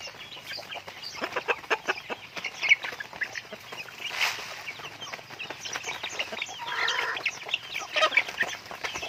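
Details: Home-raised pet chickens calling together: dense runs of short clucks and thin peeps, a louder burst in the middle, busy chatter continuing throughout.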